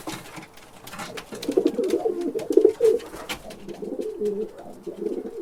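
A pigeon gives low, throaty rolling coos that swell and fade over several seconds, with faint clicks and room echo behind.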